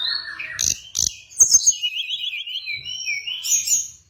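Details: Hill blue flycatcher song for luring and training birds. A high, thin whistle leads into a fast wavering trill, then sustained sweet high notes. A few dry clicks sound early on.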